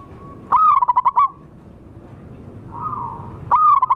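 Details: Zebra dove, wild local birds, lure call: a loud warbling trill of quick notes, a soft steady purr, then the trill beginning again.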